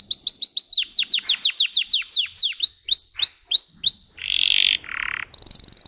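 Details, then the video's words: Russian canary bred for singing, delivering a fast run of repeated high downslurred notes, then a trill, a buzzy burst and a harsh rattle near the end. "Red trees Canary Singing"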